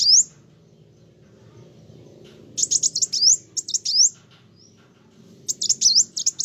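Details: Sunbird in energetic gacor song meant to agitate other birds. Clusters of high, sharp notes and upward-sweeping whistles come in irregular phrases separated by pauses of one to two seconds.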